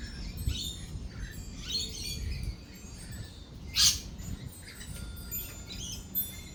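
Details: Lorikeets calling at a feeding site while thunder rolls and lightning flashes; short scratchy chirps and one sharp loud screech near the middle, over deep rumbling and patter.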